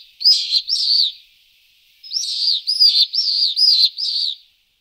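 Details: Pallid swift (Apus pallidus) giving harsh, buzzy, slightly downslurred screams, two in a pair and then five in quick succession, each about half a second long.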